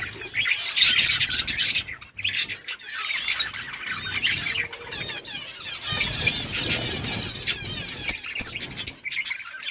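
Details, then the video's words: Budgerigars, also called parakeets, chattering together: bursts of rapid high twittering and scratchy warbled notes with short squeaks, swelling into busy overlapping passages and easing between them, plus soft rustling and a faint constant high whine. "Budgies parrot chirping sounds parakeet talking to each other"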